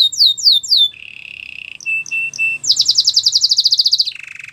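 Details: White canary training song: three swept whistles, a low buzzing roll, spaced short chirps, then a rapid high trill dropping into a lower buzzy roll.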